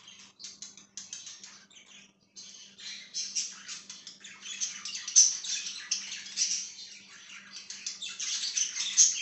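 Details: Budgie chirping, starting with sparse scratchy notes that build into a busy run of high warbling chatter and squeaks, over a faint low indoor hum.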